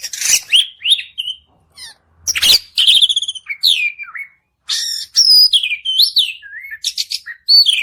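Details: Varied white-rumped shama song meant to trigger singing in another bird: harsh bursts, trilled phrases and sliding whistles, delivered in rapid bursts with short pauses.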